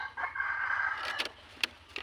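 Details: Kept red junglefowl, called manok labuyo, in the Philippines: a rooster gives one drawn-out crow of about a second at steady pitch, followed by a few sharp clicks and knocks.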